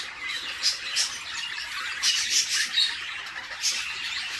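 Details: Budgerigar chicks being fed by the mother in their nest box: a hissing, raspy background chatter punctuated by sharp squeaky chirps, some in quick pairs.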